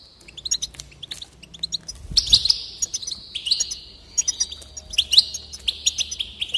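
A goldfinch sings a fast, tinkling run of high twittering notes and liquid trills, with a few bright rising phrases.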